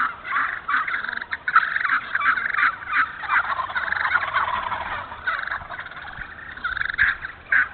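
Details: Wild turkeys in a Moore County, North Carolina hardwood-savanna stand, producing a dense, rattling stretch of rapid notes like gobbling, broken by louder yelps, with many overlapping callers.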